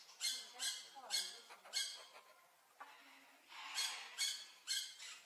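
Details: Harsh, raspy squawks from a blue-naped parrot, given in two bursts of three or four loud notes separated by a brief quieter pause.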